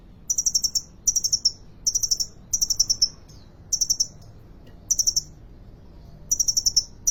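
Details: A kolibri ninja sunbird at a Depok bird market sings in short, very high, rapid trilled bursts of about four or five sharp notes, repeated roughly every three quarters of a second over a quiet background.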